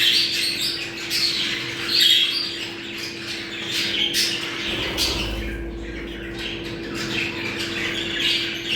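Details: Budgerigars' breeding-stimulation chatter: irregular squawks and chirps about twice per second-pair, a brief low thump midway, and a steady hum beneath.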